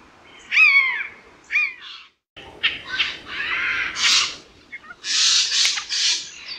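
A Eurasian jay gives two short, falling, whistled notes, then a run of harsh, rasping screeches in quick bursts.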